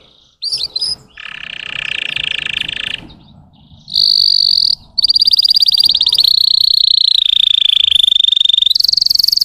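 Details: Russian canary voice played to excite untrained canaries: brief whistles, then a buzzy low roll and a series of loud, shimmering high trills that shift pitch step by step.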